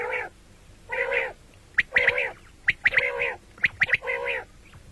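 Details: Common quail (batair), morning and night: mellow nasal harmonic notes alternate with sharp, high pips, roughly one call each second.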